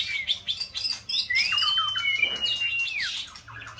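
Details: White-rumped shama, a competition singing bird in peak season, heard to provoke another bird's song; quick high twitters leading into a long sustained arched whistle, then more chirps.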